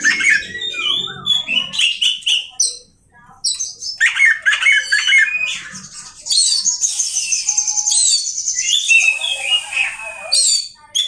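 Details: Oriental magpie-robin giving energetic mixed song. Squawky calls and whistled notes come first, then a brief silence, then a long high, buzzy, sustained trill with chattering notes around it.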